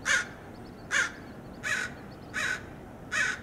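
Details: American crows attacking a perched red-tailed hawk at a roadside, Del Monte Forest, California: a series of five loud, grating caws, some slightly drawn out, about one every 0.75 seconds.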